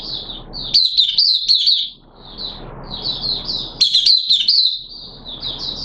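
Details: A captive Oriental White-eye in wet weather, 6 September 2022, sings a fast, high, twittering warble in long bursts with brief pauses, over a low background hum.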